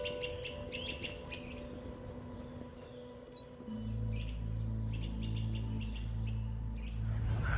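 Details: An orchard oriole, first mistaken for an indigo bunting or northern waterthrush, sings quick, varied whistled phrases of mid-high notes in bursts in Central Park, over a steady low city rumble that swells partway through.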